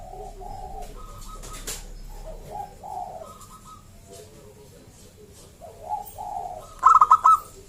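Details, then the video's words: Wild local zebra dove with a loud, clear voice, played to make other zebra doves call: low, rounded cooing phrases, then a sharp, rapid rattling trill near the end. "Perkutut lokal Gacor SUARA ASLI KRISTAL MERDU Ampuh Mengundang Bunyi Semua Perkutut Lokal"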